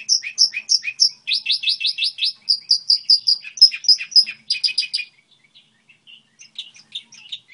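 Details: Singing goldfinch hybrid delivering rapid, evenly repeated high chirps in bursts, a quick trill-like series, then quieter scattered twitters at the end.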